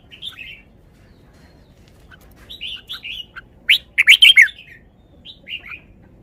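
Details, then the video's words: Caged red-whiskered bulbul displaying its song phrases with good style: scattered soft whistles build to a loud cluster of fast, rich, up-and-down notes, followed by a few quieter trailing whistles. "นกกรงหัวจุก จ้าวมาดี สำนวนดี"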